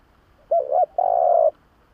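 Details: Spotted dove calling as a lure for doves: two short, slightly rising coos run together, then one long, steady, mid-pitched coo lasting about half a second, over quiet background.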